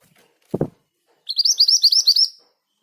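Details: Scarlet minivet (mantenan gunung), an active singer described as singing readily even among other birds, gives a rolling 'ngerol' song: a dull knock, then about nine quick, high, rising whistled notes in a rapid run.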